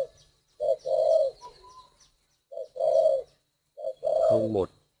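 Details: Spotted dove (cu gáy) in a breeder's aviary holding male and female birds, one bred pink, gives three low, mellow coos, each a short note then a longer drawn-out one, about every one and a half seconds; "thổ đồng" voice type.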